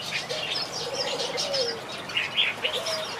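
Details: Softer chatter of finches in a backyard aviary: scattered high chirps and a few louder tweets, with faint low cooing and wing flutters behind.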